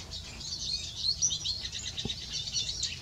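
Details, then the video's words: A male Eurasian siskin (Spinus spinus) sings a fast, continuous high twittering warble with a rasp and a few brighter whistled notes, all run together without pause. "Male Siskin singing."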